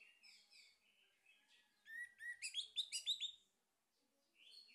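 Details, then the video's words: Lure song of a male orange-headed thrush, meant to set other birds singing. Quiet warbles lead into a rising series of loud, rapid, pulsing whistled notes, then the song fades and restarts softly. "PANCINGAN ANIS MERAH JANTAN PALING POPULER"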